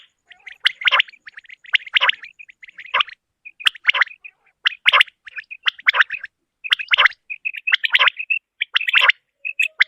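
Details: Common quail, a female, calling in a hunting and netting context: rough, crackling bursts alternating with brief high whistled notes, coming roughly every second in uneven runs, with nothing else audible.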